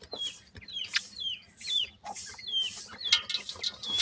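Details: Partridge chicks give clear, high, downward-slurring peeps about once a second or faster, overlapping at times, over light scratching and handling noise.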